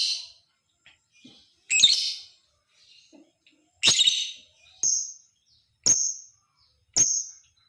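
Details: Lovebird calls used to prompt other lovebirds into song: a few harsh rasping chatters followed by three sharp, high, clipped chirps spaced about a second apart, quiet gaps between.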